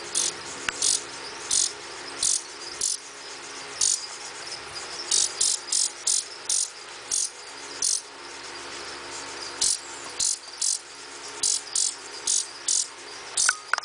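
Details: A Blue-winged Warbler nestling being fed in rehab gives high, hissy begging notes, short bursts repeated about every second, over a steady faint hiss.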